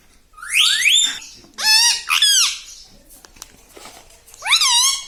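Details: Talking parrot uttering rising, nasal, speech-like syllables in three bursts separated by quiet gaps with faint clicks.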